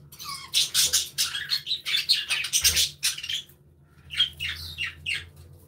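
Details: Flock of budgies in a colorful aviary, chirping and interacting: dense run of buzzy, scratchy warbles and chirps in rapid bursts, then a pause and more chatter, over a low steady hum.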